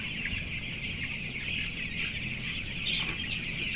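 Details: Flock of 14-day-old broiler chickens, about 525 grams each, on the upper floor of a closed house holding 11,000 birds; dense overlapping high peeping forms a steady chorus over a constant low fan-like hum, with a brief sharp noise near three seconds.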